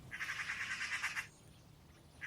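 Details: In spring in town, a Eurasian magpie near its nest gives a dry, harsh, repeated chatter, a rapid rattle of about a dozen notes in just over a second, pausing then starting again, warning others of a dog passing beneath.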